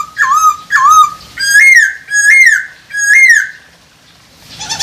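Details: Masked laughingthrush calling to raise breeding drive: five loud, ringing whistled notes, the first two dipping and the last three rising then falling, spaced about half a second apart, followed by a faint brief noise.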